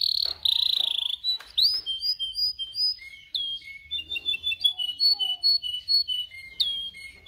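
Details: A canary sings for training other canaries: buzzy high rolls, then a lively run of clear whistled notes at varied pitches, some repeated in quick series with short pauses.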